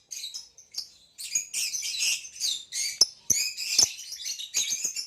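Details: Captive Nyasa lovebird and green hybrid male lovebird in near-continuous high chattering song, a busy mix of squeaks, buzzy notes and sharp ticks with barely a break.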